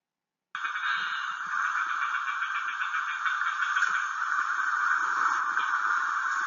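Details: Rufous-tailed Plantcutter (rara) of central Chile giving its very distinctive song, a harsh, grating, mechanical buzz held about six seconds, creaky and unmusical like a rusty hinge or dry rattle.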